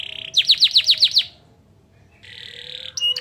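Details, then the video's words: Canary song carrying pleci (white-eye) material for raising birds' emotion: a short buzz, then seven loud sharply descending whistled notes. A near-silent gap follows before a level buzzy trill and a final bright note. "Burung kenari bocor materi pleci untuk menaikan emosi"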